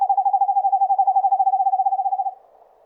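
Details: Eastern screech owl in a forest giving a steady whistled trill of rapid pulses on a single low pitch for over two seconds, then stopping abruptly into quiet.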